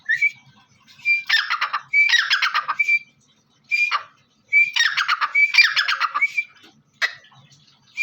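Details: Black francolin, locally called teetar, giving loud harsh rhythmic call phrases, each opening with a short clear whistled note followed by a grating, stuttering burst, repeated in groups with brief silent pauses and a quiet background.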